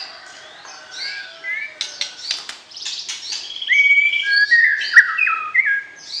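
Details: White-rumped shama singing to arouse the opposite sex before going into a breeding cage: a rich run of varied whistles, trills and abrupt clicks, growing louder and fuller in the second half with ringing pure notes.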